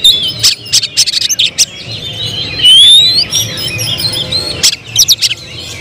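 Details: Oriental magpie-robin (kacer), a prospective contest bird, in emotional song. Clusters of hard clicking notes give way to a long, high, rising whistle and flowing slurred phrases over a low hum.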